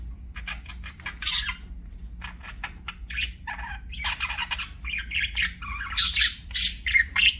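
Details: Pet budgies chirping: a busy run of short, scratchy chirps and warbled notes, broken by several sharp, bright squeaks, with a steady low hum underneath.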